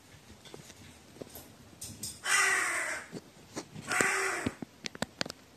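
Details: Crow recorded on 15 May 2018, said to be trembling with fear, giving two harsh, raspy caws about two seconds apart, each lasting roughly half a second, over faint background noise and a few soft clicks.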